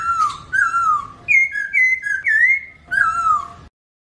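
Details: Chinese hwamei song in short bursts of loud, slurred whistles, some falling and some alternating high and low, separated by brief pauses, then silence at the end.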